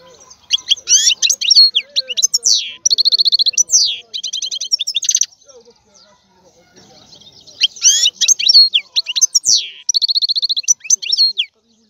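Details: European goldfinch delivering two long bouts of song, each made of tinkling twitters, fast even trills, sweeping notes and buzzy runs. A quiet gap with faint chatter separates the bouts.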